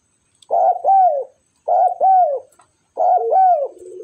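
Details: A very vocal, tame spotted dove gives soft, low cooing phrases, each a quick two-part coo, repeated three times about every second and a quarter.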